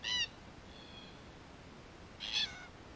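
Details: Wild Red-tailed black cockatoos in Australia, part of a group investigating and damaging a camera; two short harsh screeches two seconds apart, with a fainter call between them over quiet background hiss.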